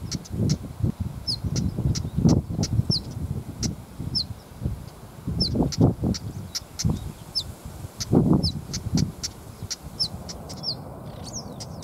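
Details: Female Siberian stonechat (Saxicola maurus) giving alarm calls, anxious near its nest: thin, high, down-slurred whistles mixed with hard clicking ticks, repeated every second or so, over heavy low wind rumble.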